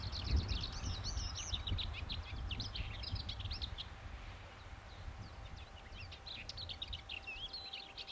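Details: Lesser whitethroat singing a scratchy, high warble of quick chattering notes, fading and then returning, with steady low rumbling background noise.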